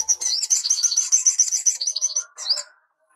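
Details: A sunbird (sogok ontong) used as a training master for young sunbirds gives a rapid, very high twittering trill of sharp chipping notes for about two seconds, then a brief burst of squeaky notes.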